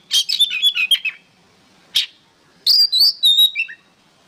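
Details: Oriental magpie-robin (kacer) song used as training material for songbirds: quick bursts of varied high chirps and whistled notes, a lone sharp note, then a bright rising-and-falling whistled phrase with trills, over a quiet background.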